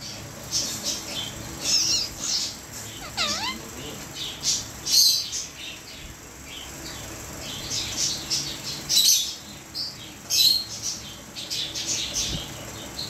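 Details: An Indian ringneck parakeet chatters at a cockatiel as if saying something, in bursts of high, scratchy chirps and a wavering, speech-like warble.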